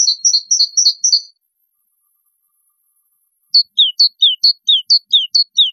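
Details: Goldfinch song to teach chicks: a run of evenly spaced high chirps, a long gap, then a brisk series of downward-sliding twitters.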